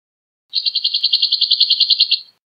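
A two-barred crossbill gives a dry, buzzy trill of about sixteen rapid, even notes at a high pitch, lasting under two seconds. No other sounds are heard.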